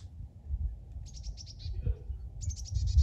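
A chickadee gives two quick bursts of high, buzzy, rapidly repeated notes, each run lasting under a second, over a steady low rumble.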